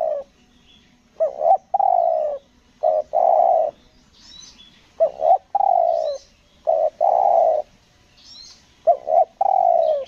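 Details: Lure spotted dove from Lombok cooing in the 'selang nguku gagap' style, four two-part phrases of stuttered note plus long low coo roughly every two seconds, faint high chirps from other birds behind.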